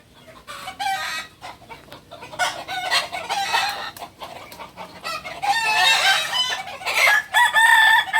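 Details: Kukuak balenggek chicken, a native breed of Solok, West Sumatra. Several overlapping bird voices and clucks build up into a loud, wavering, multi-syllable crow over the last few seconds.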